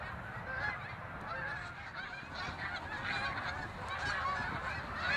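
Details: Migrating flock of snow geese giving quick, high, yelping honks, individual calls repeating about once a second over a murmuring mass of more distant voices.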